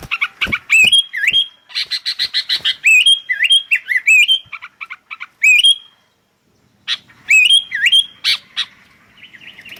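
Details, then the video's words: Sooty-headed bulbuls trading calls: many rising, curling whistles among clustered chirps, a brief pause near the middle, then more whistled phrases and a soft trailing twitter. "Suara PIKAT Burung Kutilang GACOR Bersautan"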